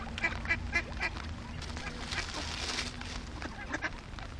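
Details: Fifty hungry ducks in a flock: a run of evenly spaced honking quacks at the start, then a thick chorus of overlapping calls with a brief burst of broadband hiss.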